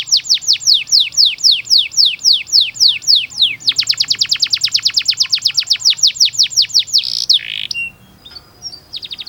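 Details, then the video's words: Canary master song for training: a long series of rapid, sharply rising whistled notes, about three per second, switching to a faster drier rattle of similar strokes, then a loud buzzy burst and a few scattered high chips. "MASTERAN KENARI UNTUK SI PAUD"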